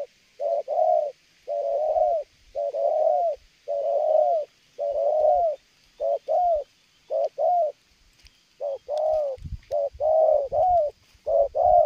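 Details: Spotted dove cooing strongly and without pause while approaching from afar toward a bird lure; low, rounded coo phrases repeated in quick succession, roughly one burst each second, with brief gaps and faint rustling.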